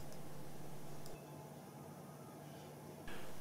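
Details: Low, steady indoor hum and faint rustling, with a brief drop in level midway and two soft taps, with no animal sound present.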